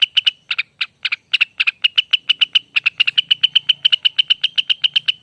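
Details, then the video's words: In long ropel song, a lesser green leafbird (rengganis) starts with spaced, loud notes that accelerate into a continuous rapid series of sharp, ringing repeats. A faint low hum sounds in the background. "Suara ropel panjang burung Rengganis"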